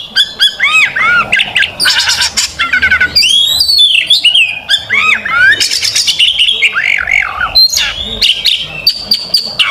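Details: Oriental magpie-robin, a fighting bird, singing at length as a master song for training young birds: dense, varied whistles with rapid slurred up-and-down notes, harsh buzzy bursts and chattering, barely pausing.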